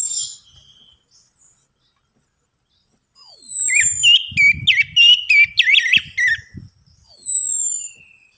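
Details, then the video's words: Song of an orange-headed thrush offered as a lure to stimulate singing: after near silence, a fast rattling series of looping, upswept notes runs for several seconds, ending in a long falling whistle. "DENGAN PANCINGAN ANIS MERAH AMPUH INI, ATASI SUSAH BUNYI ANIS MERAH"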